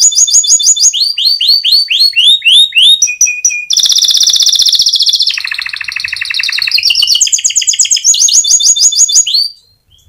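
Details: Energetic canary delivering a long rolling song used to prompt other canaries to sing. It opens with rapid repeated down-slurred chirps, then moves into sustained buzzy rolls at changing pitches and back to fast repeated notes, fading out near the end.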